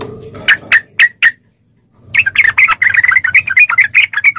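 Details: Yellow-vented bulbul song used as training audio for captive bulbuls: a few separate chirps, a pause, then a fast tumbling chatter of notes over a faint low hum.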